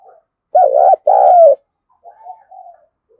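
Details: Close spotted dove coo used to rouse a decoy: two loud, throaty notes, the second longer and falling in pitch, then a few soft, low murmured coos.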